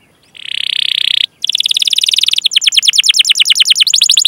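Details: Canary song in the chirping, rolling style used as a lure for young, untrained or silent canaries: a steady buzzy trill about one second long, a brief gap, then fast repeated high notes that break into quicker rolling chirps.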